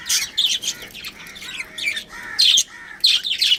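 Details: Budgerigar breeding pair giving bursts of bright, scratchy chirps and warbled squeaks in short clusters separated by brief quiet gaps, with faint low rising notes between the bursts.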